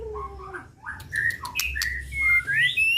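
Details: White-rumped shama kept for song contests singing short whistled phrases, some rising, some sliding down, mixed with sharp clicks over a low steady hum.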